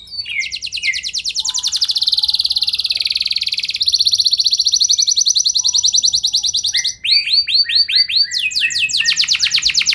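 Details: Gacor canary lure song for prompting other canaries: sustained buzzy high trills in long rolls, shifting pitch, then clusters of quick arched notes.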